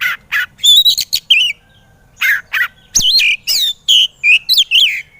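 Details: White-rumped shama training song for reluctant singers, with mellow lower whistles, rippling upslurs and loud sweeping phrases in close groups, a pause near the middle.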